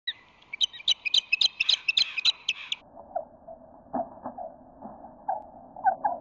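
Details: Osprey defending its nest near San Francisco Bay against a rival female in an aerial skirmish, morning of March 5, 2020: rapid series of sharp whistled chirps for three seconds, then duller, muffled calls and soft knocks.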